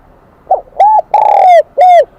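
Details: Spotted dove of the high-pitched 'kim đồng' voice type, a newly caught bird, giving one full cooing phrase: a soft short note, a rounded coo, a drawn-out falling coo and a closing rounded coo, clean with no other sounds.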